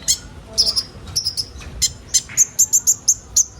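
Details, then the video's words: Kolibri ninja sunbird song, used as training material to get young birds singing quickly: thin, very high chirps and short trills in uneven bursts, some notes doubled, over a faint low background hiss. "Burung kolibri ninja bahan ombyokan cepat gacor"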